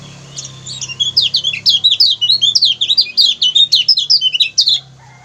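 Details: Lemon-bellied white-eye in energetic 'ciak ciak' song, a recording used to train other songbirds: a rapid stream of high, thin chirps and twitters, roughly three per second for four seconds, over a faint low hum.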